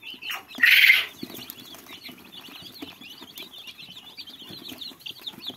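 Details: Little fluffy chicks peeping in a dense, continuous chorus of high, rapid cheeps with overlapping voices. A short burst of wing flapping or rustling sounds near the start.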